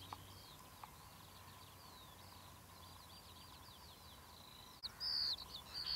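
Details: Marsh warbler singing at Academy Pools, Cleadon, on 6 June 2008: a faint, continuous run of varied scratchy chattering notes, ending in a few louder, sharper notes near the close over a steady low hum.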